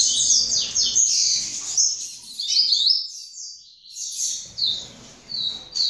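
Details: Young double-collared seedeater, second-generation bird from a breeder, singing fast high chirps and slurred whistled notes in two bursts, with a short pause near the middle.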